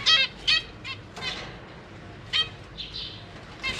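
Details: Zebra finch parents feeding babies in a cage, May 2023: sparse nasal buzzy calls at irregular intervals, plus a soft hissy tone near the end.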